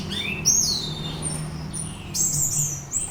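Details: Orange-headed thrush, used as a lure to make another bird sing teler: sweeping slurred whistles falling and rising, a thin high note, then a cluster of squeaky notes, over a low hum.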